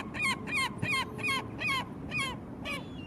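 A herring gull gives a fast series of seven harsh, yelping notes, each dropping slightly in pitch, roughly three per second, over a low background rumble.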